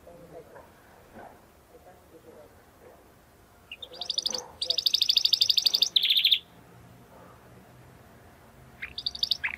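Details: Belgian canary giving a short burst of fast, bright rolling trill after a stretch of quiet room noise, with another brief phrase near the end.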